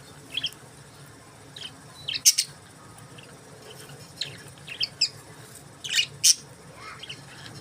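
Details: Budgerigars giving sparse short chirps, a few sharp high notes spaced a second or so apart, over a steady low hum.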